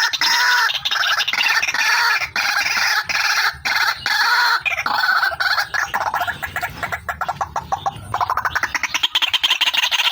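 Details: Female white-breasted waterhen, recorded for luring, giving long runs of loud raspy croaking notes that shift into a quicker pulsing rattle in the second half.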